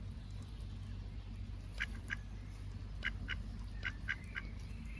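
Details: Curious ducks at a pond on a warm, sunny summer day with occasional breezes. Short nasal quacks come in loose pairs and small clusters across the clip over a steady low background rumble.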